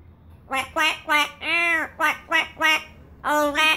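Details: Pet yellow-naped amazon singing: a run of loud, nasal, vowel-like hoots, one long drawn-out note in the middle, then two more quick notes after a pause, with faint music behind.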